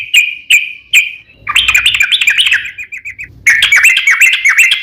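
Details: Bulbul lure song meant to bring answers: three clear chips, then a tumbling burst of bubbly notes, a short tailing series of small chips, and a final lively warbling run.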